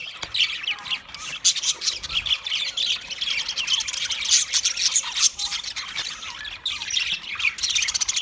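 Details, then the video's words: Budgie parrots in nonstop chatter, a thick layer of rapid high chirps, squeaks and warbles overlapping with no pauses, like a busy group. "Parrot Calling sounds, Parrot sound video , Natural Budgie Parrot video , Birds chirping sounds"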